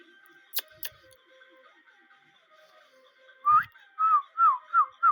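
A rose-ringed parakeet gives five clear whistled notes, each sliding up then down, about every third of a second, after two sharp clicks in a quiet room.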